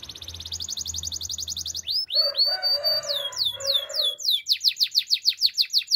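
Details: Canary singing a training song: a fast trill of high notes, then long sliding whistles over a lower buzzy rattle. It ends in quick, repeated rising chirps.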